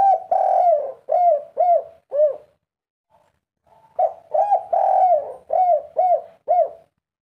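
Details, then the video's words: Spotted dove, agitated, 'kuk 3' style: two full phrases of deep harmonic coos, each a long drawn note among short arched coos about half a second apart, separated by a brief pause with a soft murmur. "derkuku tekukur kuk 3 ngamuk gacor"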